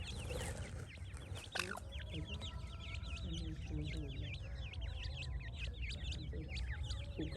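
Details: Young francolins peeping in a group: quick, high, V-shaped cheeps repeated without pause, with faint lower notes and a sharp knock near the start over a low rumble.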